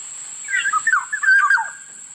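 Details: Black-naped oriole giving a loud, liquid whistled phrase of several slurred notes that rise and drop over about a second, with a steady high electronic whine in the background.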